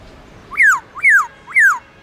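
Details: Black-throated laughingthrush, Garrulax chinensis, repeating a clear falling whistle three times in two seconds, part of its long-slurred forest-voice song used for training newly caught birds.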